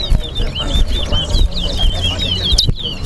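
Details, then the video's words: Chestnut-bellied seed finches (towa towa) in a bird race, Lucky vs Supa, at the Lamaha & Vlissengen Road bird ground in Guyana, pour out fast, sweet warbled notes in an unbroken run. A low rumble of crowd voices and a spoken count run underneath. "TOWA TOWA BIRD RACE"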